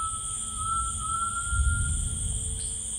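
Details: A single long, clear whistle from a grey tinamou in rainforest, held for about two seconds and gently rising, with an insect chorus humming behind.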